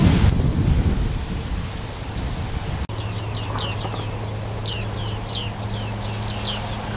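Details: Juvenile male and female bearded reedlings at Rietputten, South Holland, giving a quick series of high, thin, downslurred pinging notes in irregular clusters after a brief noisy start, over a steady low hum.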